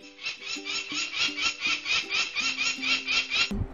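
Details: A peregrine falcon, a territorial nesting bird of the sandstone cliffs of Zion National Park, gives loud, harsh, grating 'kak' notes about twice a second in a steady scolding series, over soft background music.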